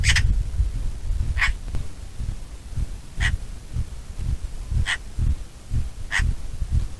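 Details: Bonelli's eagle (Aquila fasciata) calling with single short, bright yelps spaced about every one to two seconds, steady and clipped, against constant heavy wind noise.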